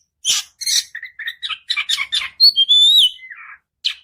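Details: Oriental magpie-robin (kacer) in long continuous song, used as a lure so silent birds answer and sing day and night. Rapid run of varied chirps and buzzy notes, then clear rising whistles and a descending trill.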